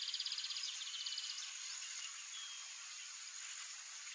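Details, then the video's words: Lined seedeater (Sporophila lineola) giving a quick, high, buzzy run of repeated notes for about a second and a half, fading into a steady high hiss, probably insects. "BIGODINHO (SPOROPHILA LINEOLA), LINED SEEDEATER"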